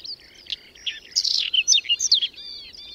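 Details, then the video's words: Whinchat song in unexpected May snow and wind at the outskirts of Domzherytsy, Berezinsky Biosphere Reserve: a quiet start building into a burst of rich, jumbled whistles and crackling chirps over roughly one second, then a faint trailing whistle. "Луговой чекан в майскую вьюгу"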